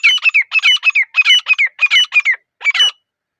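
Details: Rapid, raucous squawking from a grey francolin. Grating multi-note phrases run in quick succession, then pause before a final shrill phrase. Nothing else is heard.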